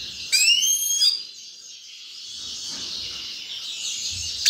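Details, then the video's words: Grey-crowned goldfinch with a beautiful singing voice: a brief burst of clear, rising whistled notes rich in overtones during the first second, then a steady high hissing wash that runs to the end, closing with a short sharp note. "Седоголовый щегол красивый голос"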